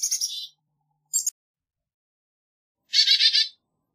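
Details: Black-capped chickadee: a short buzzy phrase, a quick sharp note, and after a pause a harsh series of about five rasping 'dee' notes. The background is quiet.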